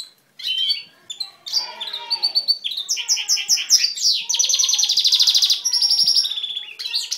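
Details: Male goldfinch x canary hybrid singing a powerful, varied song: rapid high chirps and sweeping notes, then long fast buzzy trills and rattling series from about four seconds on, all bright and high-pitched.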